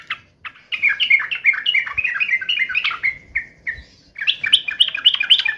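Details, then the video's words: Sooty-headed bulbul, agitated and ready to fight, pouring out rapid bubbling, warbling phrases with short pauses, then resuming the fast chatter; soft low background rumble. "trucukan gacor FULL TARUNG NGAMUK"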